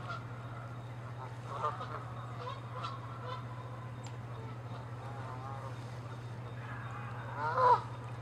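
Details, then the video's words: Canada geese fighting territorially, chasing and attacking on water and land, give scattered nasal honks, mostly soft, ending in one loud, harsh honk over a steady low hum. "Geese fighting & honking loud sounds"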